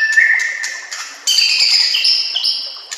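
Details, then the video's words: Murai batu (white-rumped shama) training song mixed with nature sounds and flowing water: sustained, ringing whistles stacked in bands, a lower rising note, then a sudden brighter high phrase held to the end. "murai batu anda dengar suara MASTERAN burung seperti ini"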